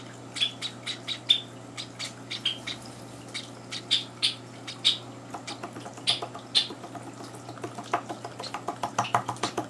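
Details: Java sparrow chicks, three days into life in a home, begging at breakfast feeding time while two older birds barge in: sharp, high chirps repeated in quick bursts of uneven spacing, with a steady low hum underneath.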